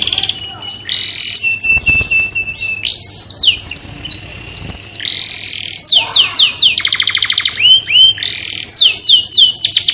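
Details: Canary song used to stimulate mating in breeding birds: loud high whistled notes, steady trills, sweeping rising phrases and rapid repeated chirps, with a faint low hum in the background.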